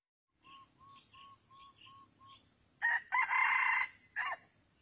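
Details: Red junglefowl crowing during a trapping session with a decoy cock: six soft, evenly spaced whistled notes, then a loud, harsh, raspy crow of about a second with a short clipped note after it, in a quiet outdoor setting.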